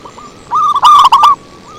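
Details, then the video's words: Zebra dove lure call: a loud, quick cluster of rolling, stuttered coo notes, with quieter coos before and after. "Suara Merdu PIKAT PERKUTUT SANG RAJA"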